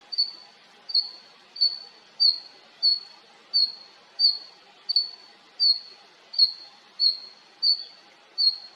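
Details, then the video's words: A female red-flanked bluetail (Tarsiger cyanurus) gives a thin, high whistled note, repeated steadily about every two-thirds of a second, against a quiet background. "ルリビタキの鳴き声The cry of the Himalayan Bluetail"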